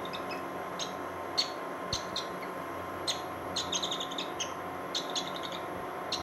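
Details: A Bonelli's eagle (Aquila fasciata) chick that has just hatched from its egg in Israel gives thin, high peeps, a dozen or so in irregular bursts, over a steady background hiss.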